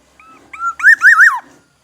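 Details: Black-naped oriole from Aceh, a forest oriole: one loud, fluty whistled phrase, a short soft note, then a rising slur into rolling liquid loops that drop at the end, about one and a half seconds long, in a quiet setting.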